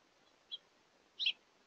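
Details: House finches at a feeder on a hungry day, one bird giving a short high chirp followed by a louder doubled chirp a moment later, against a quiet background.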